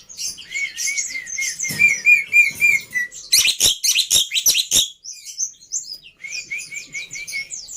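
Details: Jalak putih, the black-winged myna, in a masteran meant to be easy to imitate: fast strings of short rising whistles repeated several per second, a burst of clicking and scratchy chatter, then more rapid whistled notes.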